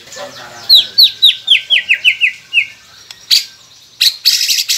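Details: White-rumped shama song meant to make quiet captive birds sing: a series of about nine descending slurred whistles, roughly four per second, followed by harsh noisy bursts.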